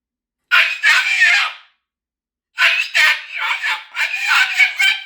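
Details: A pet Moluccan cockatoo indoors, having a "meltdown", gives loud, harsh, raspy screams: one long burst, a short pause, then a string of rapid ragged shrieks; these loud contact calls carry far in the wild.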